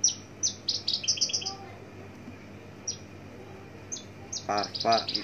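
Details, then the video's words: Javan bush lark of the parva type singing far from the recorder, a varied 'tembakan' song said to hold a complete set of fill-in phrases. Quick bursts of high, thin chirps and short whistled notes come in clusters, then a louder harsh, voice-like sound near the end. "Tembakan variasi branjangan parva"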